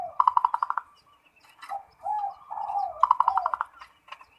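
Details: Perkutut, a local zebra dove, in full ngerot song said to stir breeding drive: two loud quick-fire stuttered bursts separated by soft slurred coos, with faint background noise.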